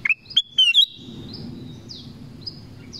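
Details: Black-crested bulbul in the forest: a quick bright phrase of four whistled notes climbing in pitch, then soft high descending whistles from other birds in the background.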